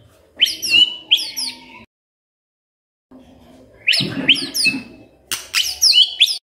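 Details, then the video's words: Magpie-robin song, played as a lure to get a quiet bird singing often: two bursts of bright, high whistled notes with sharp downward slurs, separated by a pause of over a second. "Pancingan Murai DIAM Agar Rajin Bunyi"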